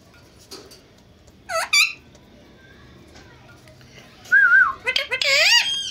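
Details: Indian ringneck parakeet, one of a talking pair face to face, mimicking Urdu or Hindi words: two quick nasal syllables, a pause, then a smooth whistled wavy note leading into a longer run of high, shaky speech-like sounds indoors.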